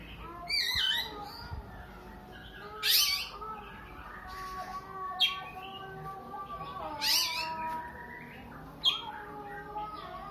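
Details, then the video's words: Oriental magpie-robin giving a sound likened to a sobbing child: loud raspy, broadband bursts near three, seven and nine seconds over a steady background of faint whistled tones. "burung Kacer nangis tersedu"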